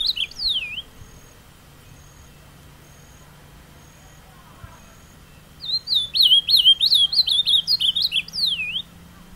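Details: Kept ultramarine grosbeak singing outdoors in the carapuça style: the tail of one phrase opens, then after a long pause comes a full three-second string of quick, looping whistles that rise and dip repeatedly, growing slightly louder toward the end.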